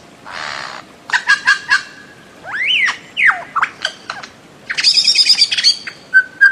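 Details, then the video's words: Bird-of-paradise calls begin with a harsh rasping burst. Short whistled notes, arched slurred whistles and a rapid stuttering trill follow, ending with two clear whistled notes. "Bird of Paradise Calling Sound"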